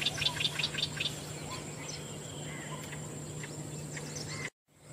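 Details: Green bee-eaters, a group of three, two and one birds, recorded with a Panasonic Lumix DMC FZ300: a quick series of high, sharp chirps in the first second, then scattered fainter notes over a steady low hum.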